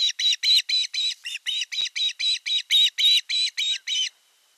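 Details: Osprey chicks at a nest in the Satakunta region of western Finland, 5 August 2024: the elder chick attacks the younger during a fish delivery. About fourteen sharp, high chirping calls repeat rapidly and evenly for four seconds, then stop.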